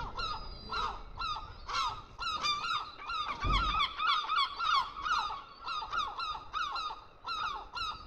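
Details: Gull chicks at feeding time with their parent, calling insistently in dense overlapping squeals and yelps, several voices at once, with one low thump partway through.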